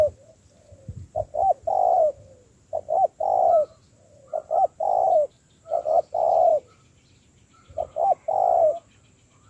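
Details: Low hooting coos from a spotted dove being trained as a decoy: quick grace notes leading into a longer, slightly falling coo, repeated in several phrases with brief gaps.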